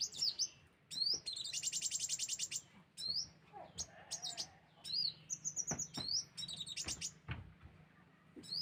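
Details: Sunbird lure sound: dense high chirps mixed with fast, buzzy rattling trills and short sharp notes, almost continuous throughout.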